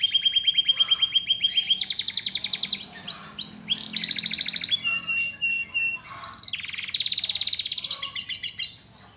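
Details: Singing canary delivering fast, rattling trills that jump between pitch levels, interspersed with short upward chirps and sweeping notes, a dense continuous warbling performance.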